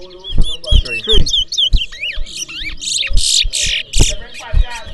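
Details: Large-billed seed-finch (twa-twa) competing in a singing race at a bird ground in New Amsterdam, Berbice, Guyana. It gives quick, high, twisting whistled phrases and buzzy trills over people talking and sharp knocking sounds.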